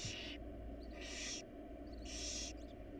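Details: Wild barn owls in a nest box: three strong, rushing hiss bursts about one second apart, each rasping and broadband, with a faint hum throughout.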